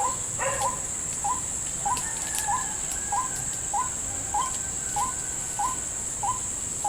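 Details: Trapping for white-breasted waterhen in a salak plantation: a monotonous series of short hooked 'kook' notes, about one every 0.6 seconds, after a brief harsh opening, with a continuous high cricket-like drone behind.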